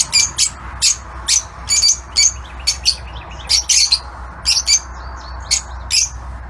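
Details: Shrill, high-pitched chirps from lutino Fischer's lovebirds in an outdoor aviary, delivered as short bursts roughly every half second, each a harsh squeaky note, over a steady low background hum.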